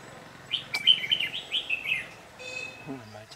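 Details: Red-whiskered bulbul, white-cheeked and yellow-gaped, flitting about during trapping on 8 July 2019. It gives a rapid string of bright warbled notes for over a second, then a man's voice and a click follow.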